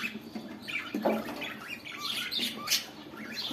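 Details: Budgerigars during mating, giving a busy chattering warble of squeaky rising and falling notes, with scratchy bursts and some broad background noise.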